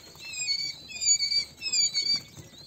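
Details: King quail chicks giving thin, high whistled peeps, short descending notes in overlapping bursts with quiet gaps between them, over a faint low background rustle.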